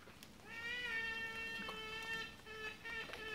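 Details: Trumpeter hornbill at Mtunzini, South Africa, recorded in June 2017, giving a drawn-out nasal wail that sounds like a crying baby, held and wavering for about three seconds; faint background noise.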